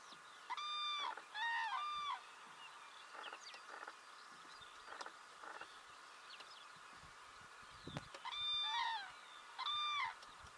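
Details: Common cranes in Belarus in spring 2017: loud, trumpeting calls rich in harmonics, given in pairs near the start and again near the end. Fainter calls and background bird chirps fill the gaps.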